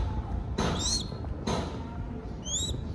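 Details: Baby crested goshawk being fed in Cambodia: two brief upslurred whistled squeals, separated by loud broadband thumps or handling noises, over a low steady background rumble.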